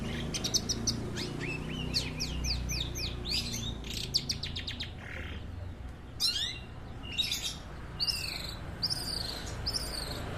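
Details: Long-tailed shrike at a residents' bird activity: fast scratchy rattles and sweeping high chirps in quick sequences, some downslurred whistles later, over a noisy low rumble.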